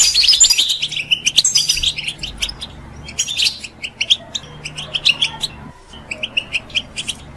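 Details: European goldfinch, a pet songbird, singing to prompt other birds into song; a loud tumbling burst of high twittering opens, then thins into sparse, evenly spaced chirps, about four per second, over a low background hum.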